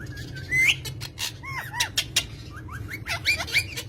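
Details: Pet green parrots giving a busy run of short chirps and squeaky upward-sweeping notes, some sharp clicks among them, over a low steady background hum.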